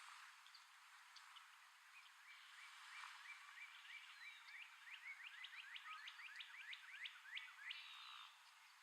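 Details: A male red-headed woodpecker hiding food in tree holes gives a quickening series of short, harsh, upslurred notes, building into a rapid chatter over about six seconds, with a faint steady hiss behind.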